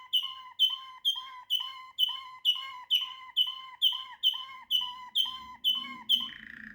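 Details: Waterslager canary repeating one clear whistled phrase about twice a second, each note with a bright upper tone and a lower echo, closing with a softer buzzy note; faint low rumble near the end.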